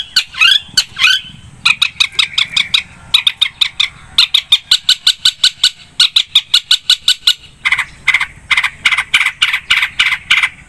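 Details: Long-tailed shrike in full song, delivering long runs of sharp, harsh notes repeated about twice a second in quick bursts, with brief pauses between series.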